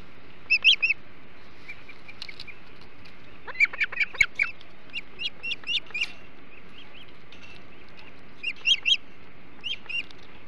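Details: Ospreys feeding on flounder at a Hog Island nest, 08:05 on 21 July 2016; repeated bouts of high, clipped whistled chirps, three to six notes each, spaced a couple of seconds apart against faint background noise.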